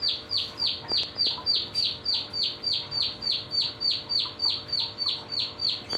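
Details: Young canary after one month of training gives a fast, regular series of high downward-sweeping notes, roughly three and a half per second, a rolling trill with little background sound.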